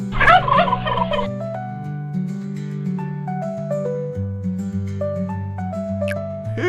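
A turkey gives one loud, fast, rattling gobble lasting about a second, then a gentle mallet-style melody plays for the rest.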